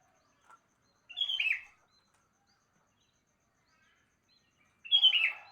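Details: Morning calls of a sooty-headed bulbul: a short, rich, descending warbled phrase, repeated after nearly four seconds. A faint soft note comes before it.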